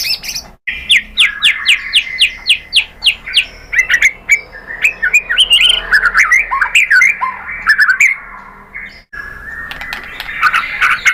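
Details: White-rumped shama singing a lure song to make other shamas answer: a quick series of repeated rising whistled notes, then a rich, varied run of slurred and warbled phrases, loud and nearly continuous.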